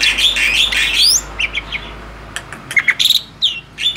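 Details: Male black-winged starling, tame, opening with a loud burst of harsh chattering song, then scattered short whistled and squawky notes over a steady low hum.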